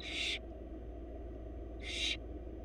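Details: Barn owl nestlings begging as their mother feeds them in a wild Florida nest box: a raspy hissing shriek at the start and another near the end, separated by a constant low hum.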